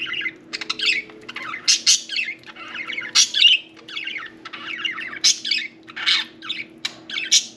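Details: Pet budgerigar, or budgie parakeet, taking a bath, giving a busy run of scratchy warbles and chirps in short bursts with brief pauses, plus clicking notes and a faint steady hum behind.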